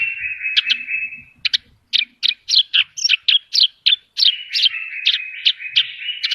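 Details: Horsfield's bush lark singing vigorously with many filler phrases: a long buzzy whistle, then a fast, uneven series of sharp chirps and slurred notes, closing in another buzzy drawn-out phrase.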